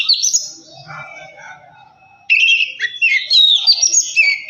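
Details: Oriental magpie-robin song meant as a lure to make another bird sing: a brief whistled note, a softer murmuring pause, then a loud burst of fast, varied whistles and trills.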